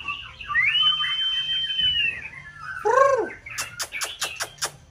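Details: White-rumped shama singing to stimulate another bird, in full season: a long, steady high whistle over soft chatter, a loud slurred downward note with overtones, then a rhythmic series of sharp clicks.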